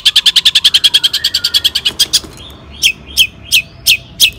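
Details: Long-tailed shrike song played to trigger other shrikes: a rapid trill of about twenty sharp notes in two seconds, then slower, spaced downward-slurred chirps.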